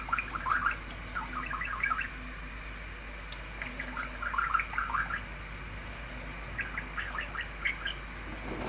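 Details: Ten-year-old male pet budgerigar at play, chewing glasses and imitating flowing water; gurgling, burbling runs of quick chirps come in three separate spells, the longest near the middle, with quiet pauses and low room hum between.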